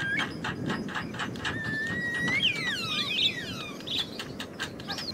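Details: Wild Javan myna calling with sharp clicks, then long gliding whistles and looping, overlapping slurred notes that sweep up and down, set against continuous low-pitched background noise.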